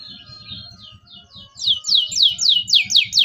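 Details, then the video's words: Local canary singing to teach young canaries: soft high warbling notes that build into loud, downward-sweeping whistled chirps repeated about four per second, over a steady low pulsing background thump. "KENARI LOKAL GACOR CUIT CUIT EMOSI, PANCINGAN LENARI PAUD AJAR BUNYI"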